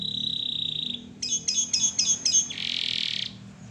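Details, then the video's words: Canary song phrase for masteran use: a steady high buzzy tone, then five spaced double chirps, then a harsh rasping buzz at mid-high pitch. "Masteran asli kicauan burung kenari gacor full paling indah dan merdu"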